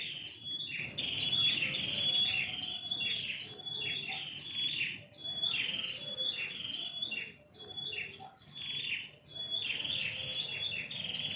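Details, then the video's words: Birds singing in the morning from a tree in a house yard: bright, chirpy phrases repeated in quick bursts about once a second, with a faint low rumble of background noise. "kicau burung pagi ini"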